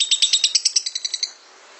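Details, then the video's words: Lovebird giving a long harsh chatter: a rapid burst of about twelve shrill, scratchy notes, evenly spaced, ending abruptly after just over a second, in a quiet indoor setting. "Suara Burung lovebird ngekek kasar dan panjang"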